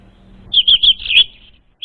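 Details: Brief orange-headed thrush lure phrase for untrained birds: four or five quick, high, warbled whistles run together into one twisting phrase, followed by the start of another note.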